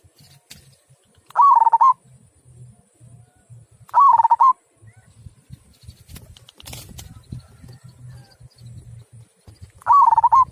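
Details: Zebra dove of local stock in the 'kung' singing style: three clear, rippling coo phrases spaced several seconds apart, against steady low rumbling background noise and a brief clatter.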